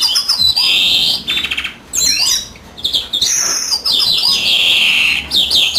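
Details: European greenfinch singing while the female incubates: long buzzy drawn-out notes alternate with quick high chirps and a fast rattling trill, loud and close in a quiet room.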